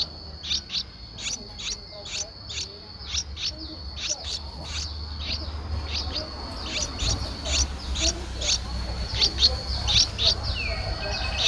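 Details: Young Streak-eared Bulbul nestling aged 11 days, Ubon Ratchathani, Thailand, April 2023: rapid run of bright, high chirps, some paired, continuing for over ten seconds above a steady shrill background tone and soft low rumble.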